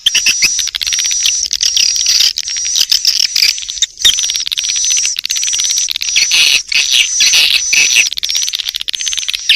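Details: Swiftlet lure call: a dense, continuous twittering of high chirps over a steady, piercing high tone, with short gaps and brief broken bursts.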